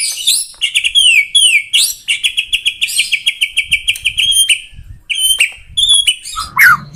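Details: Singing to lure other shamas, a white-rumped shama gives a long string of rapid, evenly repeated clear whistles, then scattered high chirps and a final downward slurred note.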